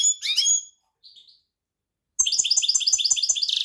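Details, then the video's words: European goldfinch singing: a burst of mixed chirps, a soft short whistle, a pause, then a fast regular trill of bright twittering notes, with faint clicking below. "طائر الحسون # Singen Ganari Vogel"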